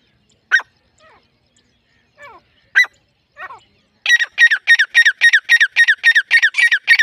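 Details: Grey francolin calling: a few scattered sharp notes at first, then a fast run of loud, harsh, repeated notes about every third of a second, each with a high rising-falling tone.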